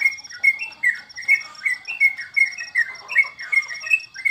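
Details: Sooty-headed bulbul (trucukan) during the COVID break in bird contests. A lively run of short, loud whistled notes, some slurred and overlapping, about two or three per second, backed by constant high rapid ticking.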